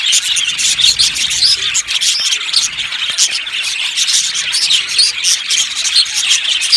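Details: Budgies chattering in a colony aviary: busy high twittering with sharp clicking chirps in quick bursts, overlapping calls from many birds forming an unbroken bright din.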